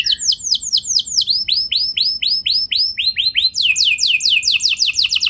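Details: Canary song used to provoke other canaries to sing long rolls: a quick series of high rising-falling chirps repeated about twice a second, ending in a fast descending trill of repeated notes.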